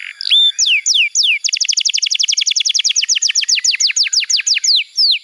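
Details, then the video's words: Canary tutor song for young birds slow to sing. A few looping slurred notes lead into a rapid run of high, falling chips that gradually spreads out into slower sweeps. "Masteran Kenari PAUD & Pancingan Kenari MACET BUNYI"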